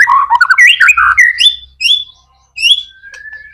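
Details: White-rumped shama singing, used as a lure recording for other shamas: a tumbling jumble of warbled notes, then separate clear rising whistles with short pauses between, a faint low rumble in places.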